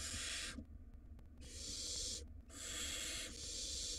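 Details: A wild barn owl nestling swallows a rodent inside a camera-watched nest box, producing long, rasping, broadband hisses, three drawn-out bursts separated by brief pauses, with a low background hum.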